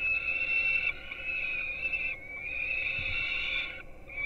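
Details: Young peregrine falcons being fed breakfast at a Polish nest in Gdynia, on webcam at 4:21 am: sustained shrill whining cries, two long stretches with a brief gap between them.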